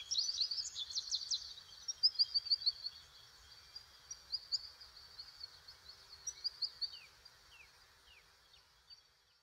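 American goldfinch giving quick, high twittering chips and short downslurred notes in uneven bursts, several per second, over faint low background noise.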